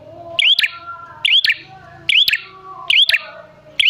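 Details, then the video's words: Prinia lure call: loud curling chirps with sharp snaps, four in about four seconds, with faint low tones between. "Pancingan Prenjak Gacor Jamin Prenjak Malas Bunyi Langsung Nyahut"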